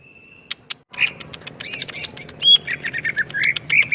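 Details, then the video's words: Greater green leafbird in full, active ngetrok-style song used as a master recording for tutoring birds: a thin steady tone, then rapid sharp clicks mixed with bright slurred whistles rising and falling, delivered nonstop. "SUARA BURUNG CUCAK IJO GACOR.. NEMBAK FULL NGETROK"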